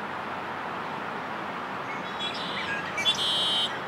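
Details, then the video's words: Red-winged blackbird singing in the rain at Stanley Park, Vancouver, BC: a brief burst of high, buzzy trilled notes near the end, set against steady loud hiss of falling rain. "Red-winged Blackbird Singing in the Rain"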